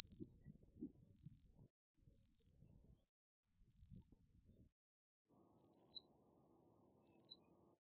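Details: Song of the black phoebe: a steady series of short, high, slightly down-slurred chips about one per second, with faint low rustles at the start.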